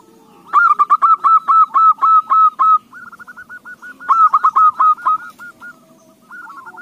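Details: Zebra dove song used as a lure to get other doves singing: loud runs of quick, evenly spaced hooked coos, about eight per burst, with softer rolling coos between and a faint low hum beneath.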